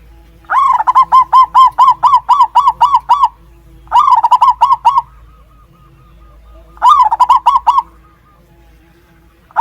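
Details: A zebra dove cooing while brooding newly hatched chicks, two days after hatching, giving rapid runs of soft, rolling cooing notes in three bursts, each note a quick rising-falling trill, with a faint low hum behind.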